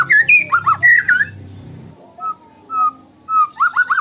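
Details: White-rumped shama 'tembakan' lure song: rich whistled slurs over a low hum, then a few single whistles, ending in a fast rising and falling phrase.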